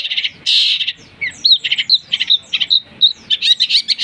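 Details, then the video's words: Long-tailed shrike lure song carrying imitated fighting-sparrow and lovebird phrases, a dense run of scratchy chatter mixed with quick bright whistled chirps, almost continuous. "Cendet materi greja tarung & love bird || PANCINGAN CENDET"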